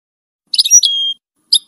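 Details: European goldfinch: two bright, high tinkling twittered notes ending in a long flat whistled tone, then a short separate chirp after a pause; no other sounds.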